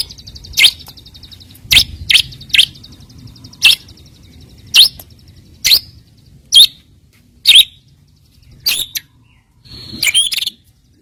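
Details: White-rumped shama song meant as a lure to provoke rivals into singing: sharp, very high clicking chips repeated at uneven intervals of about a second, with a thin high buzzy tone early on and near silence between notes.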